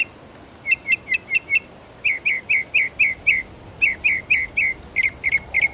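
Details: A Northern Mockingbird sings through its litany of borrowed songs at Belle Isle Marsh Reservation, East Boston, Massachusetts; bright, clear chirps, each phrase repeated four to six times in quick bursts before switching.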